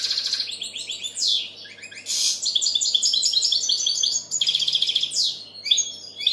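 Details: European goldfinch singing almost without a break, a song said to draw in females and spur young birds to sing: rapid bright chirps, twittering runs and short buzzy sweeps, with a soft hum behind.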